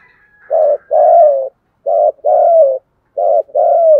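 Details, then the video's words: Spotted dove cooing continuously: low, mellow coos in repeated pairs, a short note followed by a longer, slightly falling one, three pairs in four seconds with clean silence between. "cu gáy thúc gù/ Cu gu lien tuc"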